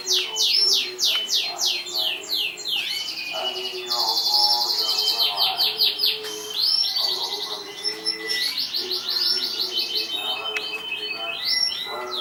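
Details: Contest-winning canary from 2014 with a varied song: fast down-swept trills, a sustained buzzy high passage, then more rapid rolling phrases and scattered chirps.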